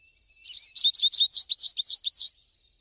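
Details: American goldfinch singing outdoors: one continuous two-second phrase of about a dozen bright, high, slurred notes, twittering and slightly warbled, delivered evenly against a silent background.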